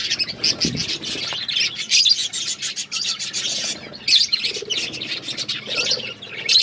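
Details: Several budgies eating green food, producing loud, constant high chirps and buzzy chatter, with a brief low thump of feeding noise early on.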